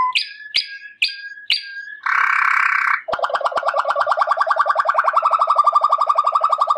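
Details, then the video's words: Waterslager canary song opening with four sharp upslurred notes, then a harsh buzzy burst, followed by a fast gurgling roll that grows louder and steadier toward the end. "من أجمل و أحسن تغاريد طائر المالينوا واترسلاجر CD Chant Canari Malinois Waterslager"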